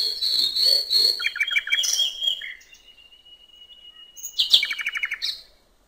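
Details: Common nightingale singing at a river's edge in the countryside: a rapid stuttering run of notes, a long thin level whistle, then a sharp burst into another quick repeated series.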